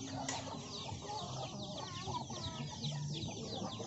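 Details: Many hens and many more chicks eating young rice given by farmers; a dense chorus of high, short downward-sweeping chick peeps overlapping constantly, with low clucking underneath.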